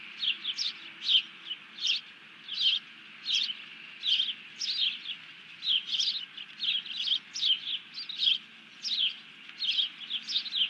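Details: Bald eagle alarm call given after grabbing a fish as its mate ducks down, recorded 31 July 2020: a run of high, thin, chattering chirps in quick bursts, roughly one to two per second and unevenly spaced, over a low steady hum.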